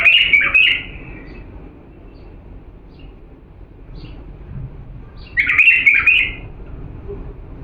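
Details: Pure-voiced authentic Diyala bulbul, recorded to teach young birds a faultless song, gives two brisk warbled phrases about five seconds apart, each a quick tumble of chirpy whistles, with soft hum between.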